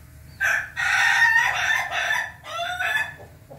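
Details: A red-combed Ayam Ketawa rooster crows on 20 May 2024 in broken, harsh bursts, a long stuttering phrase followed by a shorter one, with a faint hum beneath.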